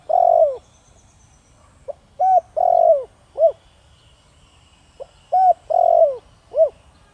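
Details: Lure spotted dove with a thổ đồng voice gives two phrases roughly three seconds apart, each a tiny lead note, a rising coo, a lengthy falling coo and a short bell-like close, over a quiet background.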